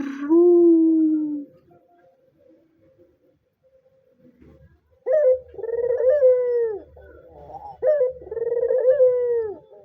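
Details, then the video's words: White dove in full, vigorous calling, kept as a lure or tutor for doves learning to call. A single low steady hum opens, then after a pause come rolling, throaty coos with a quavering middle and a falling end, repeated twice. "suara burung puter putih gacor dor"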